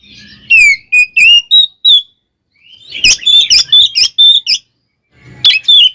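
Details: Kacer (oriental magpie-robin) song for provoking rivals; clear whistled phrases, a pause, then a dense burst of buzzy scratchy notes, and more whistles after another break.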